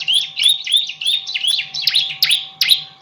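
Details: Bar-winged prinia in energetic song, recorded as a tutor for training other songbirds: a fast series of high, sharp chirps, each note a quick upswept then downslurred squeak, about three per second, with a low constant hum beneath.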